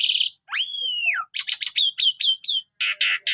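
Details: Asian pied starling in lively song: a long clear whistle rising then sliding down, followed by rapid chattering notes, short bright whistled phrases, and harsh buzzy bursts.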